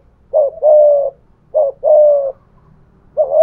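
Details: Spotted dove decoy, 'thổ pha thúc' voice, cooing against a wild dove. Two full phrases of a short note plus a long, low, buzzy coo are separated by a pause, and a third phrase begins at the end.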